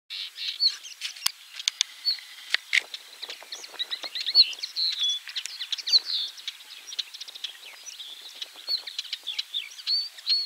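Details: Common linnet singing a rapid, twittering run of high chirps, trills and short whistles, with scattered sharp clicks throughout; recorded at 51.880598, 20.116961 (central Poland).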